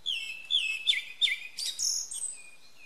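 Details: A Japanese thrush, a skilled mimic of other birds, sings at early morning, recorded from a window without wind noise, giving a quick, varied string of clear, high whistled phrases, some slurred and some sharp, over faint hiss.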